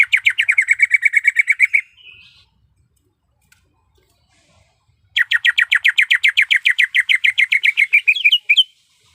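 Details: Calling female greater green leafbird in heat, summoning the male: a fast, even string of bright chirps for about two seconds, a long silence, then a longer rapid chattering burst ending in a slurred note.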